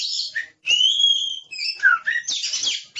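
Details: Oriental magpie-robin, described as aggressive, in loud song: long whistled notes around a high pitch, a sliding downward note, then harsh buzzy bursts, all closely packed.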